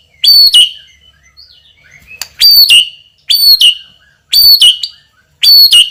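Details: White-rumped shama, a prize-winning bird with a loud, strong song and a very sharp repertoire, giving short loud phrases about once a second: a high whistle sliding down into a buzzy trill, repeated five times with brief pauses.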